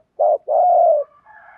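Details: Spotted dove decoy bird cooing in the thúc gù style, used to lure wild doves: a short low coo, then a longer steady coo, fading into a faint trailing note.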